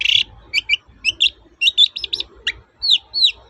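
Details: Long-tailed shrike in full song, toet-toet style, meant to prompt silent shrikes to sing: a rasp, then paired chirps, a quick trill-like run, and two down-curving whistles at the end, over a low hum.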